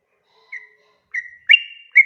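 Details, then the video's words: Sooty-headed bulbul singing, used as a lure so others respond: three separate whistled notes, the last two quickly joined, with a drawn, slightly falling tone and a fresh note starting at the end. "KICAU SUARA trucukan gacor ropel panjang pancingan trucukan agar NYAUT"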